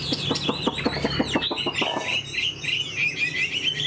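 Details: Tame Chinese hwamei in a cage: a burst of rapid clicking notes, followed by high, rippling warbled song.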